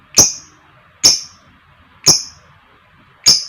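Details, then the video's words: Caged female lovebird used as a lure to provoke other lovebirds, giving the long trilling call known locally as ngekek: four sharp, high chirps spaced about one second apart, each a brief bright burst. "Pancingan Suara Burung Lovebird Gacor Ngekek Panjang, Amazing Lovebird Singing & Chirping Sound"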